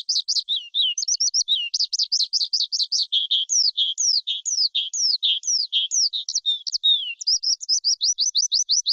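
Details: A skylark from the forest pours out a long, continuous high warble of quick down-slurred notes, steady at first and then broken by drawn-out falling whistles. A rapid repeated chirp series closes the phrase; nothing else is heard.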